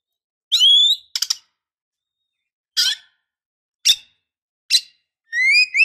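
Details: Oriental magpie-robin female luring a male, giving sparse high notes: a rising whistled note, quick rasping chirps after gaps of one to two seconds, and a final rising whistle. No other sounds.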